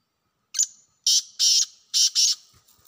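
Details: Loud call of a wild black francolin, one short opening note trailing into a whistle, then four harsh buzzy notes arranged as two quick pairs, with a faint low thump afterward.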